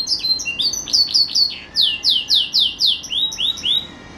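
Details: Pet green canary in full song, delivering a quick series of bright down-slurred whistled notes, about four per second, each sharply repeated, rising in strength mid-phrase then fading with softer notes at the end.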